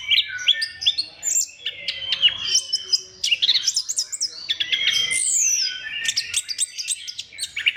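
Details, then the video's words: Orange-headed thrush singing as a prompt for other thrushes, with a long, energetic stream of whistles, clicks, trills and sweeping notes, almost without pause. "KICAUAN SEBENING KRISTAL ANIS KEMBANG GACOR PANCINGAN MANJUR"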